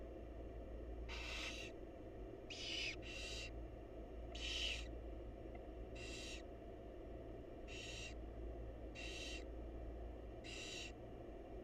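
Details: Wild barn owl family in a nest box while the mother feeds the chicks; a long series of eight short, harsh hissing bursts at uneven intervals, some paired closely, above a steady background hum.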